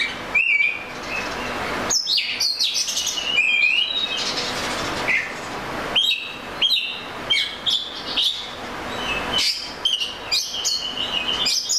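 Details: Oriental magpie-robin song of varied whistles, rising slurs, clicks and short trills in a lively sequence, over a soft steady background hiss.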